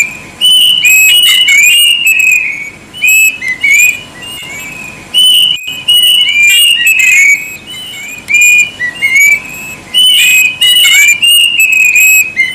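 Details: Plaintive cuckoo's loud ringing whistles in repeated falling and rising phrases, heard close and slightly distorted, with crackling noise bursts between phrases.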